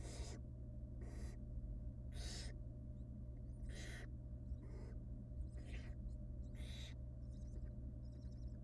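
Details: Begging from wild barn owl young as the female feeds them pieces of rabbit in their nest box: rapid series of rasping, wheezy hisses, some shorter and softer, tumbling close together over a steady background hum.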